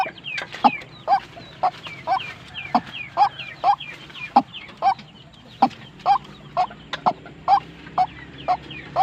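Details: Repeated calls from a tame, aggressive white-breasted waterhen, crisp notes about twice each second in a fairly even beat, accompanied by little high rising squeaks.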